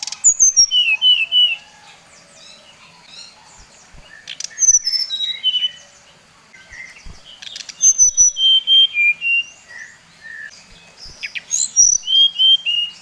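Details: Bali-type brown-chested jungle flycatcher giving a provoking lure song: several bursts of pure whistles, each sliding down in a stepped run, with short gaps between runs and sharp clicks in the background.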